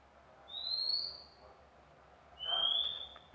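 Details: Magpie-robin, newly obtained, gives two drawn-out, clear, high-pitched whistles. The first rises gently and the second holds nearly level, about two seconds apart, over quiet background hiss.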